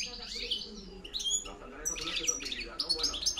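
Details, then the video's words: Short burst of European goldfinch campero reclamo, 2013-2014: a high buzzy slurred note, then a quick cluster of bright tinkling chirps, with low background hum. "JILGUERO RECLAMO 2013-2014 PEGANDO FUERTE CAMPERO"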